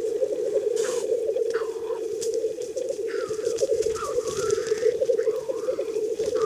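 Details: Black grouse males at a spring lek, where they compete for females: a steady, low, dove-like bubbling chorus runs without pause, with higher sliding notes rising and falling over it.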